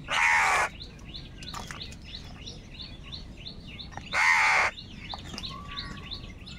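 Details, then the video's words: Crows fighting for food, calling loudly: two strong, raspy caws about four seconds apart, with a running chatter of high chirps from small birds behind them. "Very loud voice of Crow sound - Crow sound of kaka | Crow bird unity anger and sound for food"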